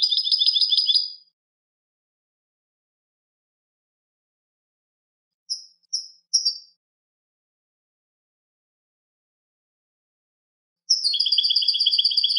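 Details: European goldfinch clean song: a short high trill, a long silence, three brief sharp high notes, then another fast tinkling trill starting near the end. Otherwise silent.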